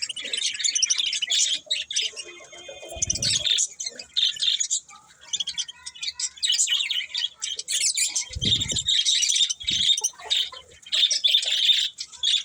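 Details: Budgerigars keep up a long stream of high, buzzy chirps and warbled twitters, with a couple of low thumps and some quieter stretches between denser bursts.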